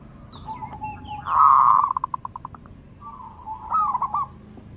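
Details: Zebra dove singing as a lure to stir other doves: a loud blurred coo, then a fast fading series of short pulsed notes, and a later rolling phrase over low background rumble.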